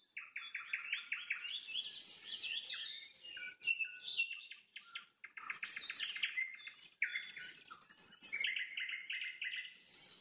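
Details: Nightingale in full sunset song, alternating rapid repeated chips with swooping whistles and buzzy fragments, several phrases in quick succession.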